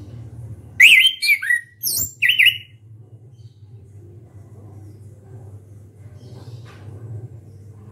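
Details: Loud song of an orange-headed thrush, beak open: a rapid string of zigzagging whistled notes and sharp high squeaks lasting about two seconds, then quiet with a steady low hum.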